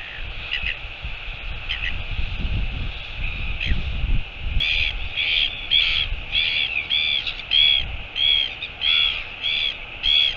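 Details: Northern royal albatross recorded 25 September 2022: after a muffled, low rumbling start, a run of short squeaky calls comes roughly every half second, each a brief bright chirp with harmonics, over steady background hiss.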